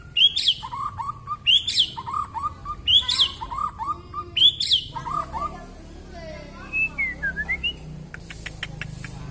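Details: Long-tailed Kalimantan white-rumped shama singing energetically with mimicked filler phrases: a loud, sharp high note sliding into a lower warble, repeated four times about every 1.5 seconds, then looping whistles and a burst of rapid clicks.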